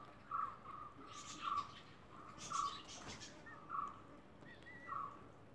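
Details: Emu chick on its day of hatching, giving clear, soft whistled peeps at one steady pitch, repeated roughly once a second, over faint rustling.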